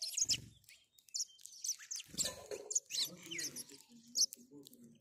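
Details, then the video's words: House sparrow calls, rapid high chirps repeated in dense bursts, mixed with low murmuring sounds and a soft voice-like hum in the background. "House Sparrow Call House Sparrow Sound"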